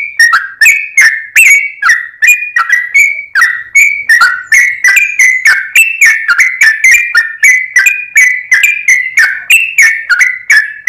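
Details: Sooty-headed bulbul, actively singing, used as a lure: a long continuous stream of quick, bright whistled notes stepping up and down in pitch, fast and irregular, sounding lively and chattering.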